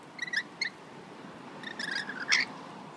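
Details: Rainbow lorikeets in Australia, locals hand-fed on a balcony, giving several brief shrill squeaks and raspy chattering screeches at irregular intervals, against a hissy background.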